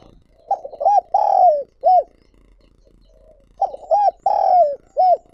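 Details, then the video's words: Spotted dove used as a lure, coo phrase given twice about two seconds apart: quick note, arched coo, long falling coo, then a rounded coo. Mellow hollow voice, with a quiet pause between the phrases. "Chim Cu Gáy Mồi Gáy Gọi Thúc Kích Bổi Mới"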